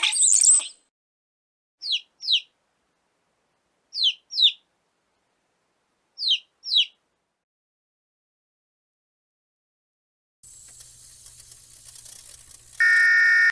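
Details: Chirping baby chicks: a loud peep opens, followed by evenly spaced pairs of high, falling peeps about every two seconds, then silence, and finally a steady electronic tone with hiss.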